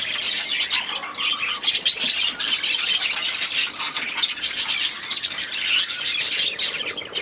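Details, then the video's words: Aviary budgies chattering as a group, a dense stream of harsh squawks and quick high twitters with little pause throughout. "6 Hours of Budgies in their Aviary"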